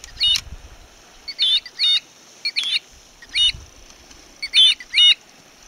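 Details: Oystercatcher heard at close range near Glenuig, giving loud, shrill piping 'kleep' notes, singly and in quick pairs, about seven in six seconds, with faint low wind rumble beneath.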